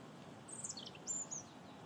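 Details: A European robin singing in the early morning gives two brief phrases of thin, high, sweet notes that slide and twitter, over a soft hiss of background noise.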